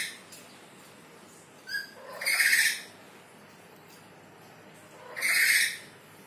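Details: Black-capped lory calling behind a window, kept as a pet, giving two loud harsh squawks about three seconds apart, with a faint chirp between them and quiet background hiss.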